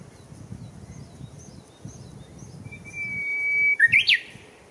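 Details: Japanese bush warbler in Showa Kinen Park on 10 April 2021. Faint high chirps from other birds come first, then a clear sustained whistle of over a second climbs abruptly into a loud, rapid closing flourish.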